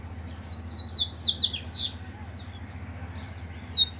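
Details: Double-collared seedeater singing in competition with a loose male, with a caged bird present: a burst of rapid, high buzzy trills sweeping up and down, then scattered faint chips and a short high whistle at the end, over a low hum.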